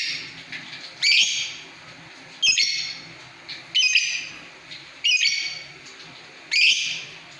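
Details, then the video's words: Lovebird giving harsh, broadband squawking bursts, five in all, spaced roughly every one and a half seconds with near-quiet gaps between them; no other clear sounds. "Love bird istimiwir"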